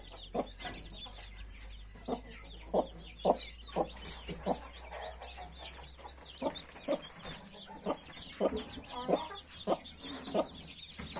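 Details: Broody hen tending 31 newly hatched chicks, sharp clucks repeated roughly every half second to second, over dense high cheeping from the brood.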